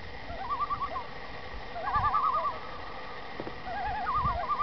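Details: In the morning on Long Lake in New York's Adirondacks, Common Loons give quavering, wavering mid-pitched notes in several bursts over a few seconds, with a soft low rumble underneath.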